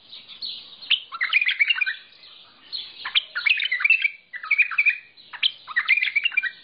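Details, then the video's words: Mandali bulbul in sustained song, a dense run of quick chattering and warbled notes in bursts of about a second, with brief pauses between bursts and no other clear sounds. "بلبل مندلاوي لسنات تغريد روعه"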